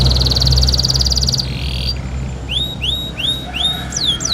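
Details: Canary singing during its bath: a fast high trill that breaks off, then a series of clear downslurred whistles, with steady low rumbling noise underneath.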